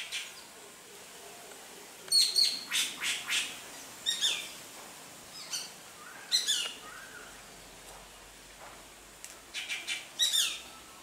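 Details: Mimicking Greater racket-tailed drongo imitating Shikra, Rose-ringed Parakeet and Treepie calls: clusters of sharp, high chirps and harsh notes in quick groups of three to four, separated by short pauses.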